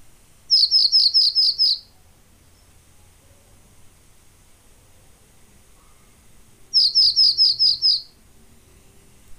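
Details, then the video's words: Pallas's bunting delivering two identical phrases about six seconds apart, each a fast series of seven high, slurred notes, with quiet background between. "O canto da Escrevedeira da Tundra"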